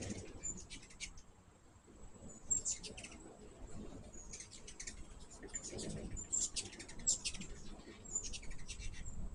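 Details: At a sugar-water feeder, hummingbirds make repeated short bursts of thin, high, buzzy chips and twitters, separated by brief pauses, with a steady high-pitched whine and low ambient noise beneath.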